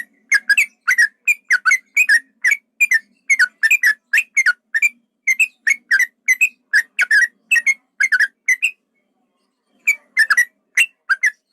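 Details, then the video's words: Yellow-vented bulbul, male, in a long rolling fighting song: continuous paired and tripled whistled notes, rising and falling, repeated steadily for about nine seconds, a brief pause, then more. "trucukan ropel panjang tarung pancingan trucukan agar bunyi jadikan burung trucukan agar emosi"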